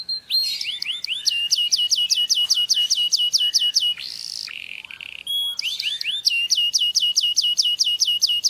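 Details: Canary song to stimulate mating: long fast runs of repeated falling whistled notes, interrupted midway by a short buzzy rattle and flat whistle, then resuming the steady trill.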